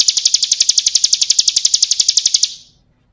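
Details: Bar-winged prinia song, ciblek kristal style, for training cage birds: a steady, quick series of high, piercing notes for about two and a half seconds, then tailing off into quiet.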